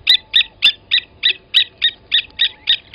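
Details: Blacksmith lapwing at Gowrie dam, Sabi Sand, South Africa, August 2020, while an adult kills a nest chick: clipped metallic notes struck evenly, roughly three and a half each second, like hammer taps.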